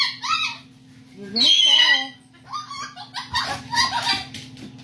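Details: An umbrella cockatoo sways and hops on a branch while answering its owner's warning that it might fall, giving harsh, raspy squawks and laugh-like bursts. A steady low hum and possible human voices sit underneath.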